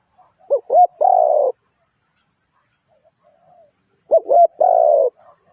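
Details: Decoy spotted dove used for trapping, Ninh Thuận: two separate calls, each of two quick looping notes leading into one long hollow coo, with about three seconds of near silence between them.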